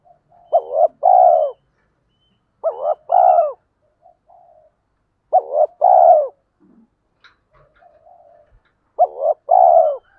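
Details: Male and female spotted doves calling to excite training birds: four phrases at regular intervals of about three seconds, each a quick two-note lead-in and a long downward coo, faint clicks between.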